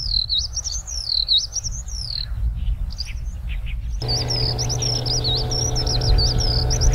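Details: Eurasian skylark singing on the ground: a passionate, unbroken stream of high, rapid warbling and trilling notes, rising and falling, with a brief break near the middle. Low rumbling noise throughout, joined by a steady hum in the second half.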